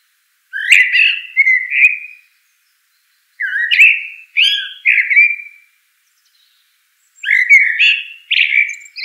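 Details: Common blackbird repeating short, mellow, swooping whistled phrases in loose pairs, with gaps of one to two seconds between groups, each phrase trailing into a slur; background otherwise silent.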